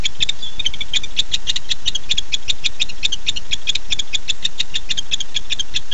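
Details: Barn owl, a male calling to his mate at 9:54 pm on 9-8-15: dense, rapid chittering clicks, some doubled, continuing throughout with a low steady hum beneath.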